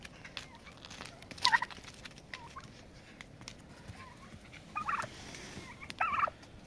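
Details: Turkeys fight to set a pecking order: one loud sharp burst early, then two rattling trilled bursts near the end, with faint thin notes and clicking scuffle noises in between.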